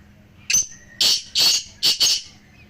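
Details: Black francolins, three birds together, used to encourage a kept francolin to call. One phrase of five loud, harsh, rasping notes spread over two seconds, the middle notes longest, with a faint steady hum underneath.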